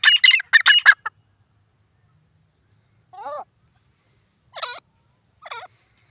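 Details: Grey francolin, the desi teetar, calling: a burst of loud, harsh, rapid notes in the first second, then after a pause three softer, separate wavering notes about a second apart, with a quiet background.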